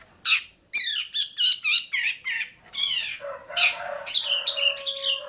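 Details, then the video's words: Long-tailed shrike at Bobotsari gives a quick run of sharp, varied chirps. It then continues chattering over a steady low whistled tone. "kicau burung cendet bobotsari"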